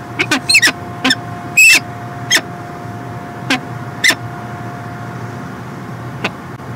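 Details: Peregrine falcon in Montreal, Canada, in 2016, with a quick cluster of harsh notes, one longer drawn-out wail, then sparse single grating calls fading out amid low background hum.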